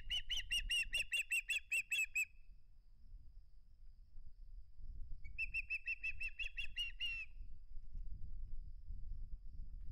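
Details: Osprey keeping hold of its flounder at the nest: two long runs of fast, shrill, repeated chirps separated by a pause, over constant low wind rumble.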